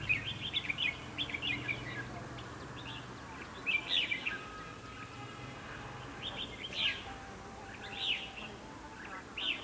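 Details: Red-whiskered bulbul decoy song at a fighting trap: clusters of bright, rapid warbled notes recurring every few seconds, with faint steady tonal sounds in the background.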